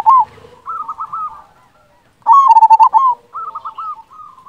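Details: Local zebra dove with a loud, deep voice: a soft cooing song of low, rolling notes, an opening coo followed by a rapid stuttering series of short pulses and a few drawn-out coos, repeated twice.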